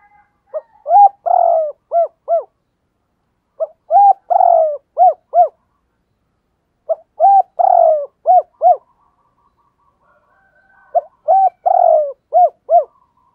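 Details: Spotted dove contest bird in Thổ đồng voice, cu gù and thúc bổi calling: four repeated phrases, each a quick run of soft hooting coos around one longer rolling note, evenly spaced with short silences.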